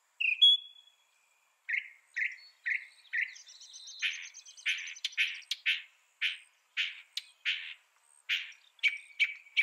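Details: Northern mockingbird song opening with a clear whistled note, followed by a series of short buzzy notes repeated about twice a second, with a higher chattering phrase layered in midway.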